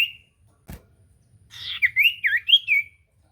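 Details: Common iora song used to prompt a quiet bird to sing: a single whistle, a sharp click, then a warbling run of looping whistled notes rising and falling.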